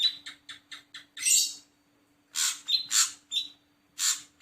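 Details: Ashy drongo calling: a run of six short clipped notes near mid pitch, then loud, harsh, rasping bursts with thin whistled overtones, given irregularly with brief pauses between them. A faint steady low hum sits underneath.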